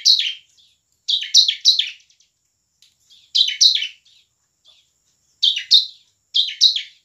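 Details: Energetic bar-winged prinia song meant to stir quiet or young birds into singing; sharp, descending chattering phrases of two to four notes, separated by brief pauses, with soft ticking between.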